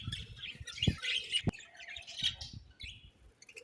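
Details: Chirping budgerigars give quick, high, twittering phrases with squeaky slurred notes, over soft low bumps and a sharp click.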